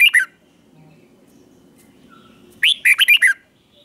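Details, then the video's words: Double-style (เบิ้ล) song of a caged red-whiskered bulbul for young birds to copy: a short clipped note pair, a long quiet gap with faint background hum, then a lively five-note whistled phrase. "นกกรงหัวจุกเบิ้ล 1000000% สอนลูกนก ก็อปติดง่าย"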